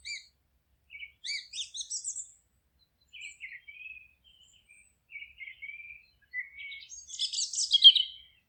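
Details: Forest birds chirping: clusters of quick high notes in irregular groups, a few lower short trills mid-way, and a loud dense burst of fast twittering near the end.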